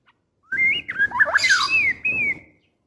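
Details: Female white-rumped shama in breeding condition calling the male: a loud run of whistled notes with sliding, looping phrases mixed with a harsh rasping burst, ending in two long level whistles.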